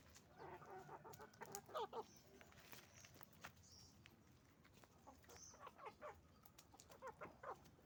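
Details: Chickens on a farm, roosters and hens together: bursts of harsh stacked clucks and squawks in clusters, one loud rapid series around the second mark, overlapping calls from many birds above constant low hum.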